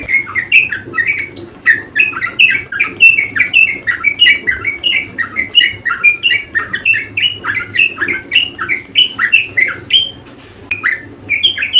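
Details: Budgerigar, locally parkit or kesturi, singing persistently: continuous rapid warbling chatter of short buzzy and squeaky notes rising and falling, dense and unbroken, with a faint low hum beneath.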